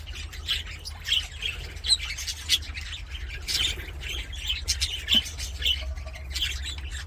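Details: Aviary budgies singing while playing: bursts of scratchy chirps and sharp squawks come in quick clusters, several birds overlapping, over a constant low background hum.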